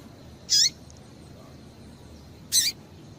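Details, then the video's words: Two bright, slightly buzzy chirps two seconds apart, each ending in a falling note, given by a female Double-collared seedeater to make a male sing. "Piado de Fêmea de Coleiro para Esquentar Coleiro"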